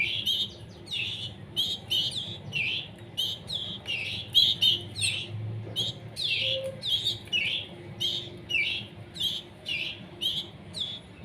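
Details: Canary chicks fed by hand while not yet independent: a long, dense series of scratchy begging chirps, about two per second, with soft room noise and a faint tone in the background.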